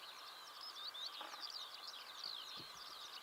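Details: Eurasian skylark (Alauda arvensis) singing on a June 2016 morning in Belarus: a fast, unbroken stream of high chirrups, trills and slurred whistles over a steady background hiss.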